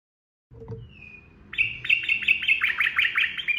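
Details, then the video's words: Sooty-headed bulbul (trucukan) singing in 'ropel' style, used as training audio for cage birds. A single thin drawn-out whistle leads into a rapid, chattering stream of short notes over a faint low rumble. "SUARA TRUCUKAN ROPEL GACOR"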